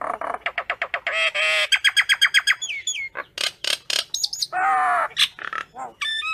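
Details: Common myna calling its flock: a fast run of rapid clicking notes, then harsh buzzy chatter and bursts of loud grating squawks, with a few sharp high whistles mixed in. Notes arrive about four per second.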